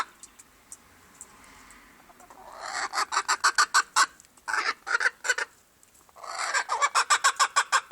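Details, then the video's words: Silver Appenzeller chicken, quiet at first, then breaking into fast runs of sharp clucks, about three per second, in three bursts with brief pauses between. "Silver appenzeller chicken making noise"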